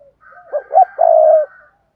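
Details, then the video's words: Spotted dove thúc gù call for luring wild doves: two quick hooted notes followed by a sustained, slightly falling low coo, all within about a second. "Tiếng chim cu gáy thúc gù sung, chuẩn dùng kích bổi"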